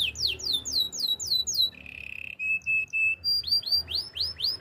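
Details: Canary singing for training: slurred downward-sweeping notes repeated several times a second, a short flat buzzy trill, thin high tones, then loud rising-falling whistled sweeps.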